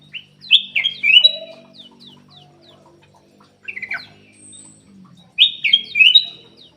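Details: A black-capped bulbul sings as a lure for caged birds that are slow to sing: rich, fluty, tumbling whistles in three bursts, separated by brief single chirps and faint low murmuring.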